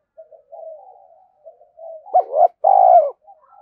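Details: Spotted dove in rapid 'thúc gù' cooing meant to provoke other doves: soft low mumbled notes build into two quick hollow notes and a long, strong, slightly falling coo.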